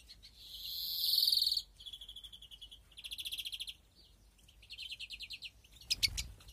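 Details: European greenfinch nesting in an aviary flight, 2021: a long loud buzzing wheeze, then a chain of rattling trills in short bursts. It ends with sharp chirps and a low thump.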